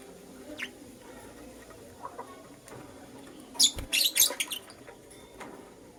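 A lutino lovebird gives a quick burst of high, sharp chirps in the middle, with a few faint squeaks before and after.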